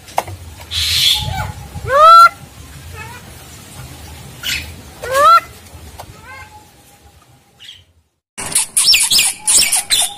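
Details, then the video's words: Javan myna song recorded as tutor audio for training other mynas: loud rising whistled notes with ringing harmonics in short bursts a few seconds apart, separated by quieter background, ending in harsh broadband noisy chatter. "masteran jalak kebo"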